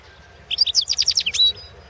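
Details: European goldfinch singing for the 2016 world championship in goldfinch song; a quick phrase of about ten bright, twittering notes rising and falling, closing with a level whistled tone, steady low hum behind.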